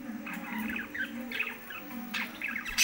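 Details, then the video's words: Pet lovebirds chattering with quick, scratchy chirps in short rising runs, ending in a loud shrill squawk, with a steady low hum underneath. "love birds kothai birds speaking"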